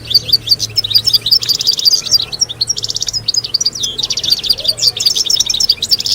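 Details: Chorus of European goldfinches singing as a group to teach fledglings and prompt females toward mating: continuous lively twitter of tinkling high notes, sharp chirps and repeated buzzy rattles, voices overlapping densely.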